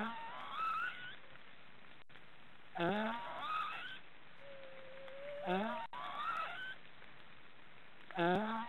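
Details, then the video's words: Snoring from three black stork chicks in a forest nest in Estonia. Rough, upward-sliding calls with stacked overtones recur roughly every two and a half to three seconds, each fading into a reedy whine. A faint steady tone sounds between bursts. "Black storks are snoring"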